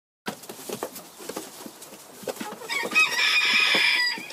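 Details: Pekin bantam cockerel: scratchy rustling and clicking sounds, then a loud, strained, harmonic call rising out of the noise in the last second and a half.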